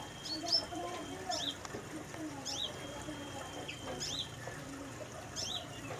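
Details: A sunbird kept in a mini aviary gives sharp, high chips and short twittery phrases about once a second, with a thin, level whistle held between them, over trickling water.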